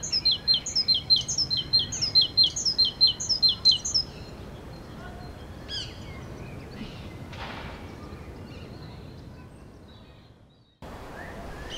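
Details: A great tit sings in Kensington Gardens and Hyde Park, London, in April: a bright, ringing two-note phrase repeated rapidly about seven times over four seconds, then a few scattered chirps over faint outdoor hiss.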